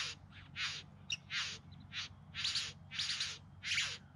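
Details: Bowerbirds displaying in courtship, Yarra Valley outside Melbourne, September 2020: broad, wheezing, hissed bursts about every half second, each rough and grainy, with a single sharp click near the start.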